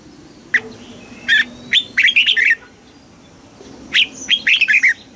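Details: Caged red-whiskered bulbul trained for song contests delivers loud, clear warbling phrases, each opening with a single sharp note and then a quick string of liquid, rolling notes; two phrases about two seconds apart.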